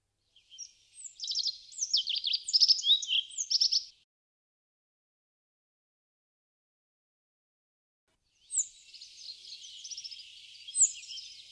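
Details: Rock bunting, Crémenes, León, Spain, March 2019, at a feeder: a lively high phrase of sharp slurred chirps lasting about three seconds, then a long silence and a thinner, buzzy, trilling phrase with one loud note near its end.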